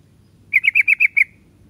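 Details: A single quick run of six bright, slightly buzzy chirps from a yellow-vented bulbul, locally called trucuk, delivered in well under a second over a quiet background.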